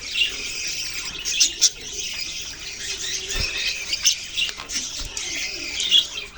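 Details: Colourful pet budgies chattering together, recorded November 6, 2023; a dense, continuous wash of high chirps and warbles from many birds, punctuated by sharp squawks and a few soft thumps.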